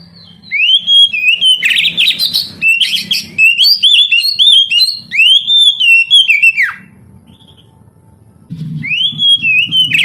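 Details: Oriental magpie-robin singing to prompt young, reluctant canaries to sing: rapid run of bright whistled notes and rising slurs lasting about six seconds, a pause with quiet room noise, then the whistling resumes; low knocking sounds throughout.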